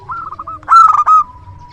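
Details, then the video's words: Zebra dove, a local bird with a big voice kept for luring: a short stuttering trill, then a loud cluster of sharp ringing coos fading into a steady hum. "Perkutut lokal gacor suara besar PIKAT ANDALAN"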